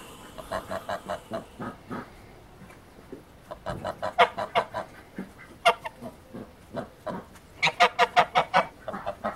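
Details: Wild goose calling with a run of short, harsh, honking notes, about two to three per second, in uneven bursts with brief pauses between them. The background is quiet.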